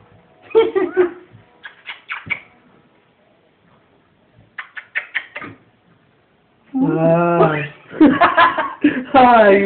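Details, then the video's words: A pet rose-ringed parakeet of unknown sex chatters in short, speech-like syllables, then bursts into a long, rich, human-sounding laugh in rhythmic, hoarse pulses, while a person speaks softly indoors. "ringneck parrot laughing crazy"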